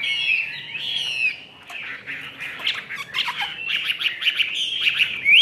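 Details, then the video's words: Chinese hwamei in a cage, sold in Vietnam as a 'ngũ trường' songster with a fully fanned tail: a rich, continuous jumble of whistles and harsh chattering notes, rising to a bright whistled flourish at the end. "HM 617 NGŨ TRƯỜNG ĐẦU XÀ XÒE HẾT ĐUÔI"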